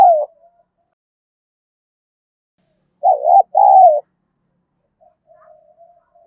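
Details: Spotted dove fight-provoking decoy call: one clear two-part coo phrase in mid-clip, a brief dip followed by a longer trembling coo, with a cut-off fragment at the start and faint, soft notes afterward.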